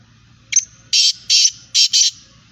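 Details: Calls of a female black francolin, known locally as kala teetar or kali madi: one brief clipped note followed by four loud rasping bursts in quick succession, the final pair close together, with a faint low hum underneath.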